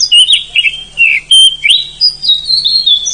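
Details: Wild forest Oriental magpie-robin singing loud, long rolling song: rapid clear whistles and slurred notes between high and mid pitch, sharp upward and downward sweeps, continuous through the clip, with a faint low hum beneath.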